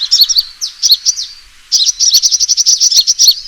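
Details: Fighting call of a sunbird, played as a lure: a few scattered high chirps, a brief pause, then a quick, even run of sharp twittering notes.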